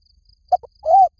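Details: Spotted dove call played to lure doves: a quick pair of clipped low notes followed by one drawn-out, arching coo, over a quiet background with faint insect tones.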